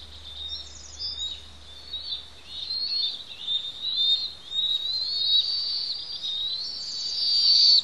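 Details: Two young Bald Eagle chicks on the Pelican Harbor nest, Santa Cruz Island, calling noisily while parents feed them; high, thin whistled cries that build from faint to a strong, sustained wavering note toward the end.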